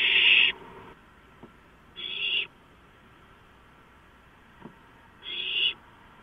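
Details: Owlets after a large rodent is delivered, 23 March 2015; only three short harsh screeches, widely spaced, with a couple of faint knocks in the quiet between.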